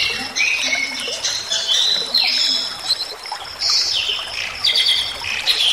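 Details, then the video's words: Bali myna song meant to train and stir other songbirds: bursts of harsh, squeaky chatter and sweeping whistles in uneven phrases, with brief quieter gaps between. "Suara Jalak Bali Gacor"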